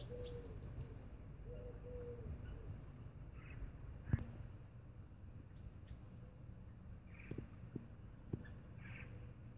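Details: Captive Blacksmith lapwings (Vanellus armatus) in an aviary: a quick burst of high, metallic tinks, then fainter ones later, over a low rumble with soft cooing and a few sharp knocks.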